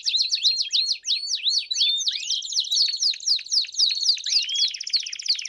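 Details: Several Belgian canaries singing together: a dense, continuous chorus of high, rapid trills and quick downward-sweeping whistled notes, overlapping without pause.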